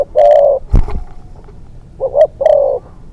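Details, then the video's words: Young spotted dove on its second training trip as a decoy for hunting, cooing: a long low coo, then a pause and a double note followed by another drawn-out coo, with a brief knock between. "ต่อนกเขาใหญ่ เสียงนกเขาใหญ่"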